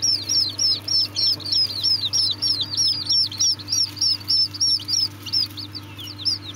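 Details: Serama chicks give bright, piercing peeps in quick succession, each note slurring up and down, clustered densely early on then spaced slightly, with a low background drone.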